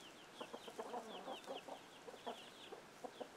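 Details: Chickens with young chicks, where an alert sound sends the chicks scrambling: rapid high downward-slurred peeps from several chicks overlap with short low clucks scattered throughout.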